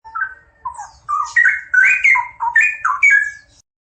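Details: A pair of straw-headed bulbuls singing vigorously: loud, rich, bubbling whistled phrases that swoop up and down in quick succession for about three and a half seconds, with a faint low hum beneath.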